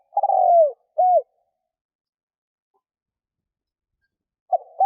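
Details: Spotted dove cooing as a lure for wild doves. Opens with a long descending coo, then a short arched note, a long silence, and the start of another phrase. No other sounds.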